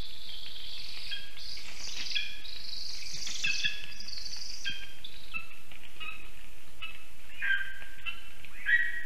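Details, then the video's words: Lesser spotted eagle family calling close to a black stork nest in Ogre municipality, Latvia, on 19 August 2024 around 1:19 pm, picked up by a nest camera; overlapping thin yelping notes, some rising, in an irregular series over steady background hiss. "Lesser spotted eagle Family can be heard"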